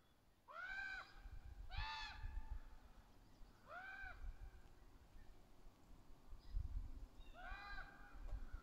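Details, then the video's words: Ravens, juveniles and adults, calling back and forth in trees, very vocal: four harsh, arched caws with rich harmonics, spaced irregularly over several seconds, over low rumbling background noise. "Rantings of Ravens. Juvenile and adults caw and talk to each other in the trees. Extremely vocal"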